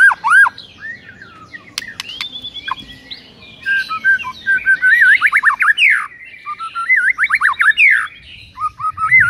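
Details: White-rumped shama morning training song meant to provoke rival birds: varied rich whistles and rapid warbled phrases with sliding notes and a few sharp clicks, steady low background hum.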